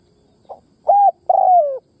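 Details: Spotted dove used as a caged decoy to make fresh-caught birds coo: a quiet grace note, a short level coo, then a longer throaty coo that drifts down in pitch, in a quiet setting.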